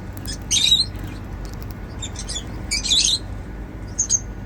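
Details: Pet cockatiels chirping while eating seeds; three short bursts of high, scratchy, whistled chirps about a second apart over a low background hum.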